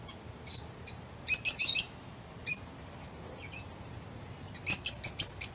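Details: Lovebird, a caged pet, giving loud shrill chirps: a quick group of four, isolated single notes, then a closing run of five rapid piercing chirps.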